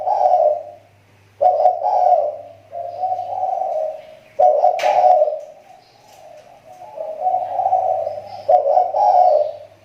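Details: Kepri spotted dove used as a lure bird, its voice improving again, delivers repeated rough, purring coo phrases about every two to three seconds, each starting with a stronger note, with a faint low hum and a brief click.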